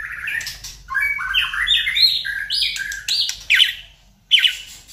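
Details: Varied, rich whistled phrasing from a white-rumped shama, used as a lure to trigger singing: overlapping rising and falling notes stepping higher, ending in two loud, abrupt high calls after a short silence.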